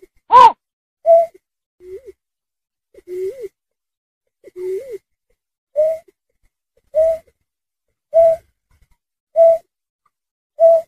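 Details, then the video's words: Snipe (berkik) calls in a recording offered as a lure for trapping birds. A loud click is followed by short, low hooting notes, rising at first and then flatter, repeated about every 1.2 seconds, nine notes in all. "SUARA BURUNG BURCET || BERKIK"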